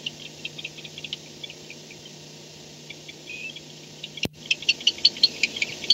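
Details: At night on 2-10-16, 4:38 am, a barn owl comes back to the nest box. A sharp thump, then a rapid run of high, squeaky chirps and clicks, over a constant low electrical hum.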